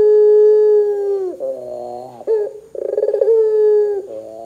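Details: Loud Barbary dove cooing meant to set other doves off: a held low tone dropping away, a wavering middle part, then a throbbing rolled burst and another sustained coo ending in a slide down.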